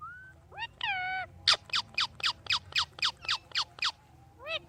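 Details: Talking parrot kept as a pet, making a short whistle and nasal rising calls, then a fast even series of about eleven loud descending whistled notes, ending with an arched harmonic call; a person says the bird's name nearby.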